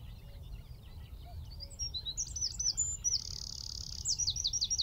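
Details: Wren in a tree at Wicken Fen, recorded at about 15 m: soft distant twitters build into a bright buzzy trill and a run of descending slurred notes near the end; steady low hum.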